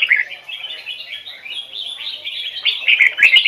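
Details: Bulbul (red-whiskered) with standard Hoài Sơn forest double-note song for training: a run of rapid whistled, slurred notes, strong at the start, softer in the middle, and louder again near the end with brief clicks.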